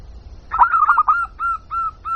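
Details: Zebra dove, a local bird, calling as a lure: after a quiet start, a quick burst of hooked coo notes that slows into longer, evenly spaced drawn-out notes.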